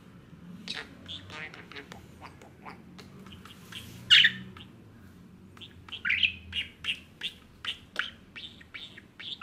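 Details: Pet male budgerigar, five years old, indoors, chattering in a run of short buzzy chirps and squawks, sparse at first, then quick regular notes about every third of a second, one louder harsh call in the middle.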